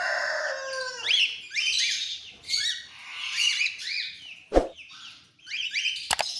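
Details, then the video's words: Several cockatiels of different colour mutations together: loud harsh screeching calls and repeated chirping notes, overlapping, with a couple of sharp knocks. "Cocktail Sound"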